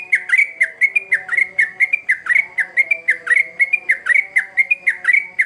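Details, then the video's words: Energetic sooty-headed bulbul song meant to lure young birds, a brisk pattern of ringing whistles with dipping and rising inflections, repeated several times per second with little variation. "Trucukan Gacor ngamuk Pancingan Terbaik Untuk Burung Paud"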